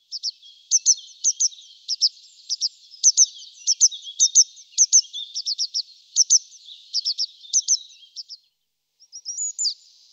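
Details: A grey wagtail gives sharp, high, metallic calls singly and in quick clusters of two to four, irregularly spaced, then a brief pause before a last short burst; no other sounds.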